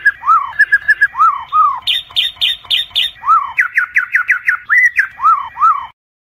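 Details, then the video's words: Murai batu, or white-rumped shama, singing as a night tutor for Indonesian contest birds: rich arched whistles alternate with rapid chattering note bursts and quick upslurred trills in a varied, loud phrase sequence. "Murai Batu, Pancingan Malam untuk Menjadi Fighter Sejati"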